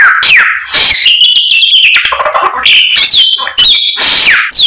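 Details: A white-rumped shama singing energetically with learned fill-in phrases: clear upslurred whistles, high trills and buzzy chatter in repeated bursts.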